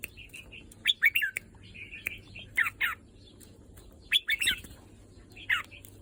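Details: Red-whiskered bulbul, pent up for several days, sings lively phrases of quick, liquid, up-and-down whistles in short bursts about every one to two seconds, with soft clicks between.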